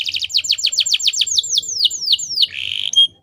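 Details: Female canary lure for making male canaries sing: a series of downslurred chirps that slows and drops, ending in a short buzzy note and a thin whistle.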